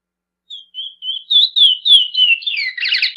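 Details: A chestnut-bellied seed finch starts its Praia song style after a pause with soft short whistles, builds into louder swooping notes, and finishes with a harsh buzzy rattle.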